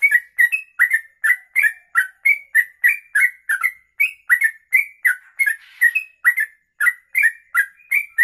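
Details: Sooty-headed bulbul (trucuk) of the kongslet style, singing the extended rapid 'ropelan' song offered as a master for tutoring: unbroken chatter of short whistles, roughly three per second, alternating rising and falling slurs.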